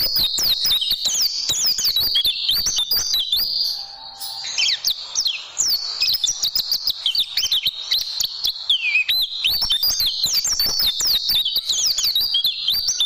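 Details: ['Oriental white-eye (pleci) song used for tutoring caged birds, champion tembakan style: a long stream of rapid high-pitched twittering, zigzag whistles and clipped chips, with a brief softer stretch before the fast chatter returns.']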